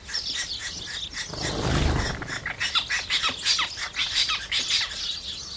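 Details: House sparrows chirping as they feed, with a brief rushing noise near the start, then a lively run of sharp repeated chirps from several birds.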